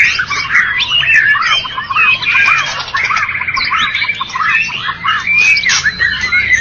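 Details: A prize-winning white-rumped shama (Copsychus malabaricus), a songbird-contest champion, sings a rich, continuous medley of varied whistles, rapid trills and harsh chattering notes, switching phrases every second or so, with a faint room hum behind.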